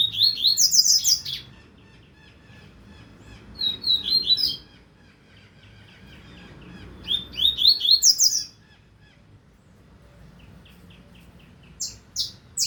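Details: High-pitched song of a double-collared seedeater, 2025 season: three separate bursts of rapid, descending slurred notes with short buzzy trills, parted by quiet gaps, and a brief fragment at the end.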